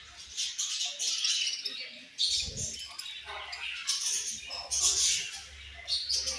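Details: Budgerigars in a flock keeping up a dense, hissy high chatter of chirps and warbles, with a soft knock near the start of the third second.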